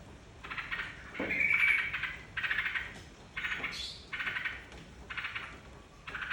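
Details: Lure song of a yellow-vented bulbul, meant to draw other birds into singing. A steady run of bright, scratchy chattering bursts, each under a second and closely spaced, with one brief higher upslurred note midway. Thin constant high whine behind.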